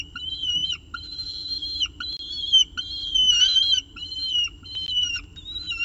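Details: Peregrine falcon at the nest with pigeon prey, early morning 24 October 2018 at CSU Orange; loud, clear whistled wails about a second long, repeated with short gaps, one strained burst midway.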